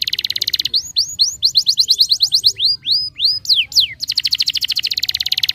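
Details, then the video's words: Canary song used to encourage young canaries to start singing: a rapid rattling trill opens, followed by a run of repeated rising whistled notes, sharp falling slurs, and a long fast buzzy trill to the end. "pancingan kenari gacor|EFEKTIVE untuk memancing kenari muda agar bunyi dan gacor"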